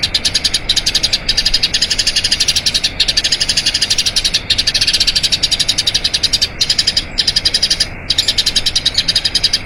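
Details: Long rolling song of a Eurasian tree sparrow, recorded for training other cage birds: fast chattering chirps in long runs, broken by a few brief pauses, high and bright throughout.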